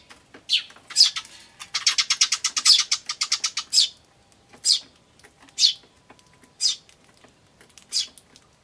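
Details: Eurasian tree sparrow chicks and adults recorded 10 May 2013: a rapid burst of about fifteen buzzy chirps mid-clip, like the adults' "jyujyujyu", framed by single high "chi" and "chun" notes spaced about a second apart.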